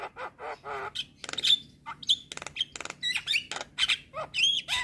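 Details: Javan myna (jalak kebo) singing vigorously in the gacor style, used as a training recording for other birds: a rapid string of harsh buzzy rasps, clicks and squeaks mixed with sharp whistled notes near the top of its range, with brief pauses between bursts.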